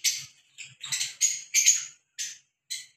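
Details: A pair of Fischer's lovebirds in the open air giving shrill, harsh, high chattering squawks in quick bursts, about seven in three seconds, with no other clear sounds.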